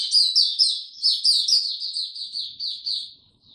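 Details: Recorded 26 March 2022 during warm, very humid weather, a white-eye delivers a bright run of high, sweet slurred notes. The run slows and softens toward the end, and the background is quiet.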